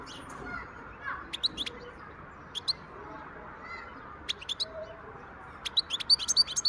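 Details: Song of a wild European goldfinch from 2023: quick, high, tinkling notes in loose series, about three per second, becoming denser and faster toward the end, over faint steady hiss.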